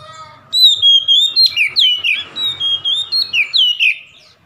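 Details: Provocation song of an oriental magpie-robin aimed at a rival: after a half-second hush, a long unbroken string of bright whistles with repeated downward swoops, roughly four phrases per second, softening at the end.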